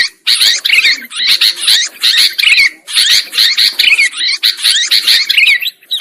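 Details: Sooty-headed bulbul lure recording used for trapping birds: a dense, noisy chatter of many bright overlapping notes, bursts of bubbly calls broken by brief pauses, with no other clear sounds.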